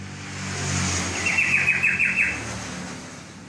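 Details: Yellow-vented bulbul (trocok) pours out a chuckling run of five or six looping notes, with road traffic droning underneath throughout.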